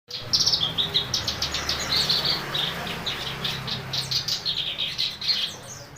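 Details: Black-browed reed warbler singing actively: a fast, chattering run of harsh, scratchy and clipped whistled notes, high-pitched and tightly repeated for the full six seconds, over a steady low hum.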